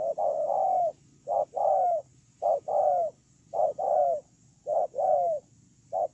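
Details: Spotted dove serving as a ground decoy, 8/10/2018, cooing loudly in steady pairs: a short note and a longer, slightly falling coo, about six pairs roughly once a second, over low background noise.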